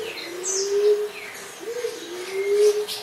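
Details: Common emerald dove calling with low, mellow, level coos, each rising slightly at the start, alongside faint high chirps from other birds.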